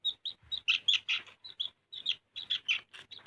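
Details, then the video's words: Sooty-headed bulbul in lively song: a quick string of bright, bubbling, chirpy notes in short bursts, steady and mid-high, with brief pauses between phrases. "SUARA BURUNG KUTILANG GACOR"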